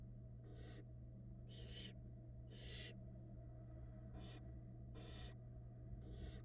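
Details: Nestling barn owls in a Florida nest box as their mother feeds them, giving six rasping, noisy hisses spaced roughly a second apart, with a constant low hum underneath.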